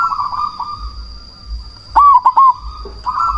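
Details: Strong-voiced cemani zebra dove, used to provoke other doves into calling and to raise breeding drive, gives one short cluster of three hooting notes. A continuous low cooing of other doves fills the background.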